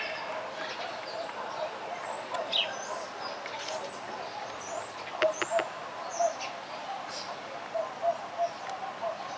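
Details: Grey parrot at Opole Zoo, Poland, giving scattered short whistles, some swooping high, others low and fluty, with a few sharp clicks, over a steady murmur of background noise.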